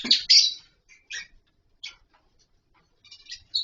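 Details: Lovebirds kept in a colony with wooden nest boxes and mud bowls, calling while playing: a loud shrill squawky chirp opening, then scattered short sharp tweets and a final clipped chirp.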